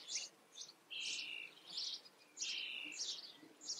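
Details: Starling nestlings in a garden begging during feeding, with sharp scratchy chirps and drawn-out rasping notes in two clustered bouts separated by a brief lull.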